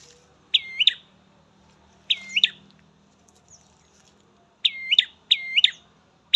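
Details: Garden recording of an ashy prinia repeating bright, high chirping phrases with a rapid dip and rise, delivered in bursts of one or two, with soft low hum underneath.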